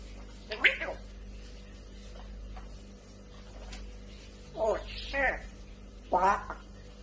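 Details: Talking African grey parrot kept as a pet, swearing: three short voice-like utterances spaced by pauses over steady low room hum.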